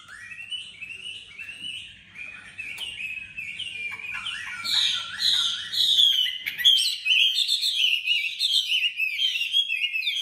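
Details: A tame, newly acquired Chinese hwamei (Garrulax canorus) in Hanoi with a sharp, strong voice sings a loud, varied run of clear whistled and slurred phrases, rising in intensity, with rich rapid notes; a faint low hum underneath early on.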